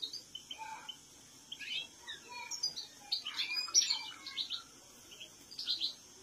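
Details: European goldfinch singing a quiet, rapid run of tinkling, twittering notes and short trills, fairly steady for six seconds against a light background hiss.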